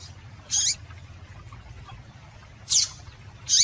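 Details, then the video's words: Short, high, piercing notes from a female yellow-bellied seedeater, a call meant to get males singing. Three to four bright chips come with uneven gaps above a faint low background drone. "Piado de Fêmea de Papa capim Para Esquentar Papa capim"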